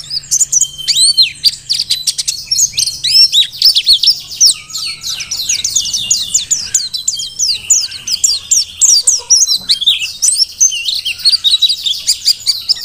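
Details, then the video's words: Energetic song of a wild-caught Merapi Mountain white-eye, kept for training other birds: dense, very high twittering with fast slurred chirps running almost nonstop, growing busier toward the end. "Pleci Dakun Merapi Ngalas super gacor"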